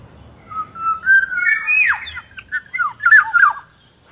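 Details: Black-naped Oriole lure and training sound for wild and sluggish birds: low whistles stepping upward into a strong downward-swooping note, then a lively string of short liquid slurred whistles over a steady high hum.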